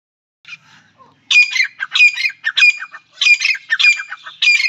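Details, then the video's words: A male and female grey francolin calling together, giving loud, harsh, ringing calls in rapid repeated bursts, about two per second. "male and female teetar ki awaz"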